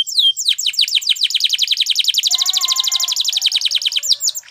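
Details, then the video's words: Spanish Timbrado canary song meant to train canaries to sing: a long rapid series of repeated high, bright falling notes, like a metallic rattle, with a softer lower tone running beneath in the middle. "The Canary's Deadly Seduction Invites Your Canary To Sing Immediately"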